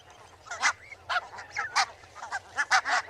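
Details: Barnacle goose calls: a handful of short, harsh, barking yaps spaced irregularly, about seven sharp notes in three seconds, with quieter chatter between them.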